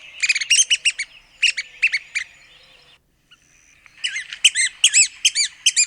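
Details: Red-cockaded woodpecker from the southeastern United States: bursts of quick, harsh nasal notes in short groups, a silent gap, then a lively run of arched, squeaky chatter.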